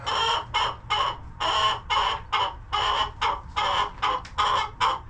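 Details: Hens in a farm coop call out in harsh, loud, nasal bursts, about two to three per second. The bursts come in an uneven, pulsing series with no other clear sounds.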